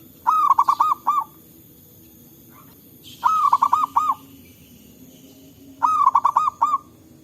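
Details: Local zebra doves calling back and forth in forest, used as a lure: three bursts of five or six quick, mellow cooing notes, each burst about a second long and repeated roughly every three seconds, with a faint hiss behind.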